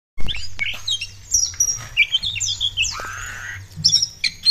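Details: Oriental magpie-robin singing actively, used as a lure to provoke other birds into song: a varied run of high whistles, quick slurred notes and a rasping sweep, with a steady low hum underneath.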